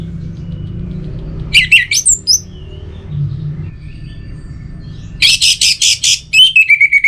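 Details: Orange-headed thrush mixing harsh squeaky bursts with a fast series of buzzy notes, ending in a rapid descending trill; low hum and a soft thud in the background.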